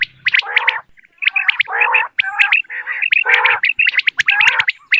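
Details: Quail calling on a Dera Ghazi Khan hunting recording of common quail. Loud gurgling, warbled phrases alternating with sharp upturned notes, crowded and overlapping over five seconds.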